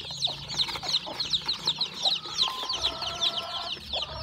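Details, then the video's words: Newborn chickens hatching on a farm, with a hen hatching eggs: many chicks give thin, high, downward-sliding peeps, several each second and overlapping, while a soft steady tone hums briefly near the end. "My new born chick hatching at my farm"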